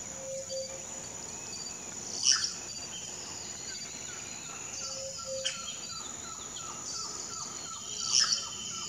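Two loud, harsh, sputtering cacique calls about six seconds apart, over a steady high insect drone and soft repeated notes from other birds.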